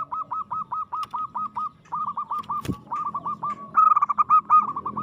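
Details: Zebra dove, a local bird, in aggressive song: steady rapid series of short curved coos at one pitch, briefly broken by a sharp click, ending with a louder burst of rolling notes.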